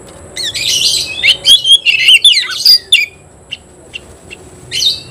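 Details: Oriental magpie-robin challenging a fighting opponent with a dense burst of buzzy, twittering high notes and bright whistles, then scattered single chips and a final short flourish.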